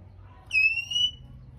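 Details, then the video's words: Male Oriental magpie-robin calling to provoke other birds to sing: one loud, pure whistle about half a second long that rises gently, then falls silent. "Choè Than Trống Rít Khè Liên Tục Kích Chim Hót Căng Lửa"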